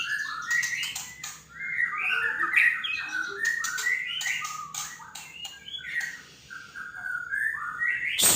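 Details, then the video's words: Male white-rumped shama singing as a lure meant to draw other shamas into song: a rich, varied run of whistled and chattering phrases, sliding up and down, packed closely together, with a sharp click at the very end. "pancingan murai batu di jamin ikut bunyi"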